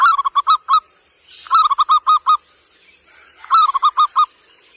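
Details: Zebra dove, local bird used as a lure call, recorded 15 January 2020, giving three rhythmic phrases of five or six short, mellow cooing notes, each ending in a slightly longer coo, about two seconds apart.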